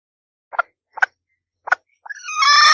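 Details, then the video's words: Female red junglefowl (Gallus gallus), the wild ancestor of domestic chickens, gives three short dry clucks about half a second apart, then a louder, rising, harsh cackle with rich overtones. "Suara Asli Ayam Hutan Betina"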